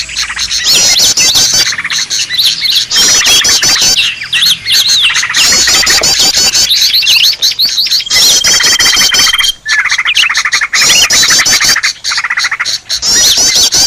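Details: Green leafbird 'ribut' lure sound for attracting birds: loud bursts of chattering chirps and squeaky trills, with a steady thin whistle near the middle and brief gaps between bursts.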